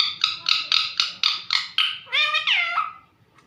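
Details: Household parrot calling its owner, a regular run of short harsh squawks about four per second, followed by two longer wavering harmonic notes that slide downward and fade out.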